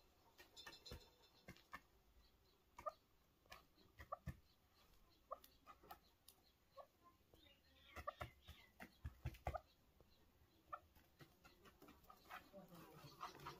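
Chukar partridge giving short, clucking chuk notes at irregular intervals, a few close together. Sharp clicks and rustling handling noise sound throughout.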